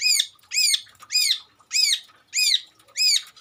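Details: Mimicking Long-tailed shrike delivering six loud, grating, arched notes at a steady pace of roughly two per second, clean background.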